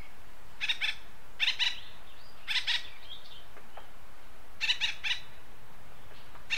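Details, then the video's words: Acorn woodpecker in western North America: harsh, nasal paired calls repeated roughly every second, a pause, then a triple burst and another call at the end; soft hiss throughout. "Acorn Woodpecker Call"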